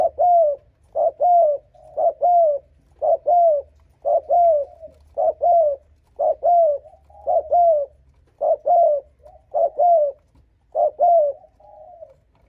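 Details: Spotted dove repeatedly cooing to provoke and lure rival wild males: steady series of low, hollow, paired coo notes with a falling ending, close to one per second, loud and clear over a faint low hum.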